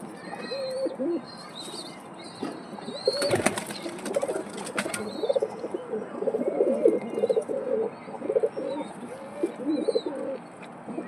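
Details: Pigeons cooing in low, throaty rolling phrases throughout, several birds overlapping, with a burst of wing flapping around the middle and faint high chirps from small birds in the background.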